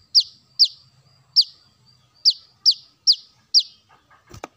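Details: Brown-throated sunbird notes used as a bird lure: seven sharp, high, downslurred chips spaced about half a second apart, then a soft knock at the end.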